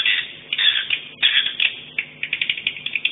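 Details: Swiftlet chatter played at a 2017 swiftlet sound tournament: dense, high buzzy twitters breaking into quick clicking chirps, about one to two each second, with a muffled, boxy tone.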